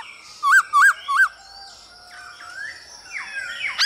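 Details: Male black-throated laughingthrush used to spur other birds to sing, with a female calling: three loud upswept whistled notes in quick succession, then quieter mixed twittering and a final sharp upslurred note.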